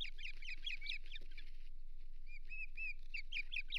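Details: Osprey at the Hog Island nest on 8 May 2023, during a failed fish delivery. Shrill, chirping whistles are repeated rapidly, pause briefly, then resume, over a low, constant background rumble.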